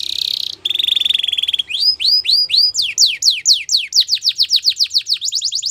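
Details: Belgian canary training song: a rolling buzzy trill, then arched whistled notes, building into a quick series of sharply falling whistles that speed up toward the end.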